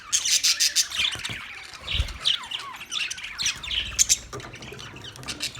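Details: Several Australian budgies chirping together, a dense flock chatter of bright warbled notes and rapid buzzy squawks with quick rising and falling whistles, about three calls a second, no other sounds.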